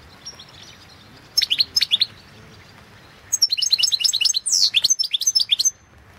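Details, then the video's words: European goldfinch competition recording from the 2016 World Championship in Goldfinch Song, held over the internet: two short bursts of high, bright twittering notes, a brief one near the start, then a longer rapid run ending in a sweeping downward whistle. "Pesma štiglića"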